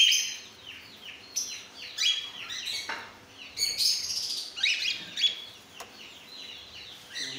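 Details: Group of cockatiels in various colour mutations calling at once: many short arched chirps tumbling over one another, steady high-pitched chatter with occasional sharper notes.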